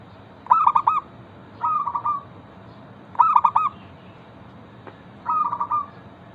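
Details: Local zebra dove pouring out its song to coax other zebra doves into singing. Four phrases about one and a half seconds apart, switching between sharp clipped coos and rolling purrs, with a light constant hiss.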